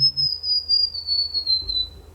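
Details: White-browed warbler (Myiothlypis leucoblephara) singing in shady forest within the Jaaukanigás wetland, Santa Fe, Argentina, near the Paraná River: a melodious, thin, high, sweet whistle with notes sliding slowly downward.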